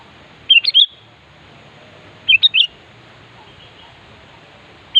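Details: Sooty-headed bulbul singing to challenge a rival: a pair of quick three-note bubbly whistled phrases about two seconds apart, then the start of another, against a low murmur of background noise.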